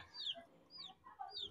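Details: Domestic chicks raised on a balcony with rabbits give shrill, falling peeps, three clear ones spaced roughly half a second apart, with softer overlapping chirps underneath.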